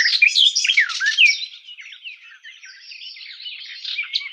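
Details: Sylvia borin, the garden warbler: a burst of quick mellow warbling at the start, then the song trails into quieter, blurred twittering.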